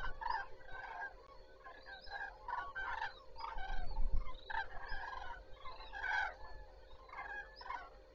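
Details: Cranes greeting the morning at Zastawie reservoir on 14 September 2023, a flock calling continuously with harsh, rolling trumpet notes tumbling over one another, with a constant mechanical hum underneath.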